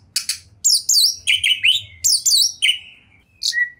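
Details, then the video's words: Short burst from a champion kacer, or Oriental magpie-robin, singing 'gacor' with full material: harsh buzzy notes interleaved with sliding whistles and a thin drawn-out tone at the end. "OCEHAN KACER TOP, GACOR DORRR ll JUARA FULL MATERI MEWAH 2021"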